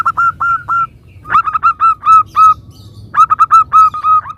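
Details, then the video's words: Local zebra dove song used as a lure for answering doves: short bright notes in groups of three to seven, the phrases broken by brief silences. "Perkutut lokal gacor suara bermacam - macam Nutut kompilasi ini ampuh untuk Pancingan Cepat NYAUT"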